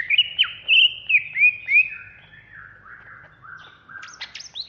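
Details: Agitated ngentrok singing from a Banyuwangi greater green leafbird: a fast run of bright whistled slurs and warbles, softer lower phrases, then sharp rising squeaks at the end.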